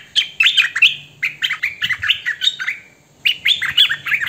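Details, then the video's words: Hwamei singing with no background noise: rich, varied run of loud whistled and slurred notes in quick bursts, a brief pause near three seconds, then more rising, ringing phrases. "Hoành hoạch thơm mồi hót chuẩn hay Ko Tạp Âm Hay Nhất"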